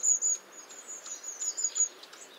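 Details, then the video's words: Long-tailed tit giving thin, very high-pitched calls: a quick string of sibilant 'see-see' notes with softer twittering between them, over faint background hiss. "Голоса птиц. Длиннохвостая синица (Ополовник)"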